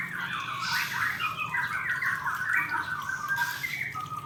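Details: Male white-rumped shama singing: a continuous, rapid chatter of varied short warbled and scratchy notes, shifting in pitch, over a steady low background hum.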